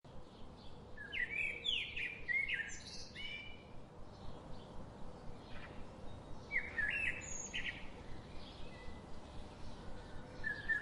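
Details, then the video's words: Daily visiting garden birds chirping in two bursts of bright, quick, rising and falling notes, one early and one near the middle, with a final short chirp at the end, over a steady low outdoor rumble. "The chirping sound of these daily visiting birds"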